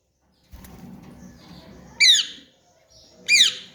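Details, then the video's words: Young Alexandrine parakeet, a pet, recorded indoors in 2023 while learning to talk: two loud harsh squawks with downward-sweeping harmonics, about a second apart, over faint background rustle. "Raw parrot Alexandrine parrot ki progress a gi alhamdalilla"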